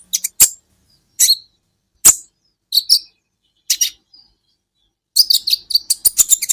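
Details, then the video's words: Sunbird known locally as kolibri ninja, recorded as a training recording for songbirds: sharp, high chirps in short bursts about a second apart, then a fast, dense run of clipped notes at the end. "Masteran buat KOLIBRI Ninja Bahan Agar BUNYI"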